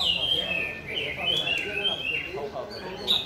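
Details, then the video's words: Rhythmic song of a white-rumped shama, made of sustained whistled notes that bend and glide between phrases, then fuller trills and a sharp high note at the end. "Mỏ đuôi cánh đồng bộ (shama bird)"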